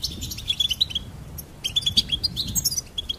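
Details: Goldfinch chirping: clear high peeps come in two bursts of rapid notes, some rising and some falling, with a short gap between them.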